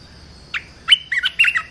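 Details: Red-whiskered bulbul song for training young birds: one short note, then a quick cluster of cheerful, slurred whistled notes. A faint steady high hum is in the background.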